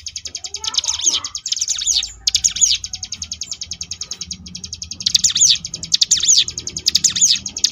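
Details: Ciblek gunung, the Sunda bush warbler, delivering ngebrem variations: long, dense trills of rapid high notes, with swooping whistled phrases woven in and brief gaps between bursts.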